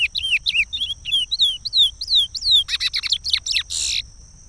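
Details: Chestnut-bellied seed finch singing the regional song of Pará, used for teaching chicks: a rapid series of clear whistled downslurred notes, then a few sharp buzzy chips and a final harsh burst, with a steady faint high tone behind.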